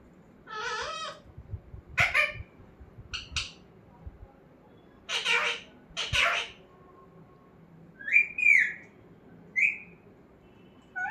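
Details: Talking parrot producing a mix of raspy, speech-like bursts and brief harsh squawks, ending with two clear rising-and-falling whistles, with faint low rumbling noise between the sounds.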